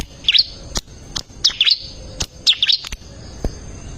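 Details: Bar-winged prinia recorded to tutor caged songbirds: three short, high two-note twitters spaced about a second apart, separated by sharp dry clicks.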